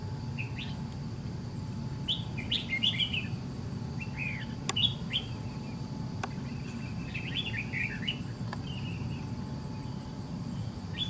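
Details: Red-whiskered bulbul with white cheeks, trapped by fighting a decoy bird. It gives scattered bursts of two to four quick warbled notes, bright and slurred, with pauses between bursts, over a low steady hum.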